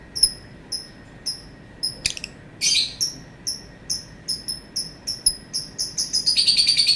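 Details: Lovebird in a long calling bout: evenly spaced thin, high chirps, broken by a brief harsh rasping burst, then quickening toward the end into a rapid, stuttering trill of shrill notes.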